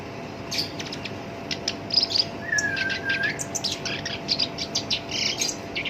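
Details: Black-browed reed warbler, a kept bird whose rough song serves as a lure for other songbirds, giving scattered sharp high notes, one drawn-out thin whistle in the middle, then quick chattering notes, over a steady faint hiss.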